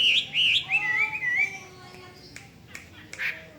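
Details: Hwamei opening with loud, wavering warbled phrases that slur up and down for about a second and a half, then fading to faint scattered notes and clicks.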